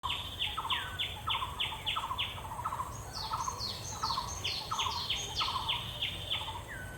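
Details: Bronze-winged jacana calls at Purbasthali wetlands, India, where a male rests on water hyacinths with his chick: quick, repeated downslurred piping notes in overlapping series. A higher, thinner run joins midway over a steady low hum.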